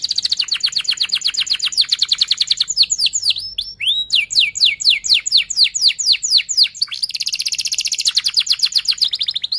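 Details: Rolling 'ngerol' canary song, played as a lure so young canaries learn to sing: an extended fast high trill, then a series of sharp downward-sliding whistles about four per second, ending in a dense buzzy high roll.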